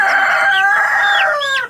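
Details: Young Tiger-breed chicken suffering a cold gives one loud, drawn-out squawk of under two seconds while being held, steady then breaking into rising and falling notes, clear without cough; owner notes fever but no cough in this bird.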